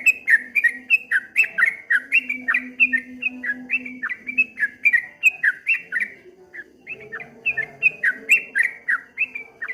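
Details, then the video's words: Streak-eared bulbul (trucuk kebo) in ropel ngombak banyu song, a long torrent of rapid, bright, falling whistled notes rolling like waves, a short lull near the middle before the rush resumes. "suara burung trucuk kebo bunyi ropel ngombak banyu"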